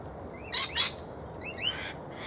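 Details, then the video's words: A female koel in a feeding tree shared with lorikeets, a magpie-lark nearby, gives two bursts of shrill, rising, rapidly repeated, harsh squeaky shrieks over a faint background hiss. "Koel - female"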